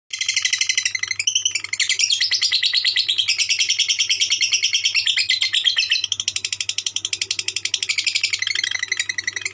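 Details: Lovebird singing in the konslet style: a long unbroken stream of rapid, high, buzzy chattering notes, pulsing several times a second with little pause, set over a low steady hum.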